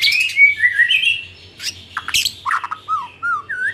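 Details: White-rumped shama lure song for the afternoon, used to make shamas sing more: fluid whistled slurs, a burst of harsh scratchy notes, then short bouncing whistled loops repeated in quick succession.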